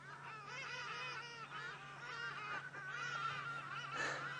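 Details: Hadeda Ibis heard from a safari vehicle in the African bush during a sunrise game drive on August 18, 2016: loud, harsh, braying honks in a ragged series over a steady low engine hum.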